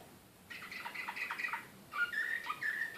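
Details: Serbian slavujar canary singing in Belgrade in 2014, said to be excited. After a quiet start come jumbled warbled notes, a brief gap, then clear whistled tones alternating low and high.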